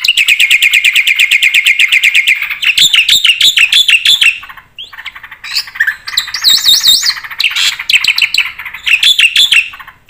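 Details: Black-winged starling in vigorous full song with mimicked fill-in phrases, used as a training recording to prompt silent birds to sing: two seconds of rapid buzzy chattering notes, then varied harsh trills and sharp whistled, warbling phrases.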